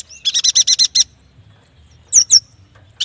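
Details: Yuhina, also called prenjak batu, delivering a fast run of about eight buzzy high notes, a pause, then two sharp rising whistled notes.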